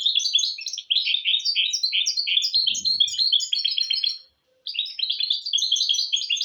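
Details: Goldfinch × canary hybrid singing fast, twittering phrases of high buzzy trills and chirps, a short silence at about four seconds, then resuming; a faint low thump midway. Song meant for teaching goldfinches and canaries.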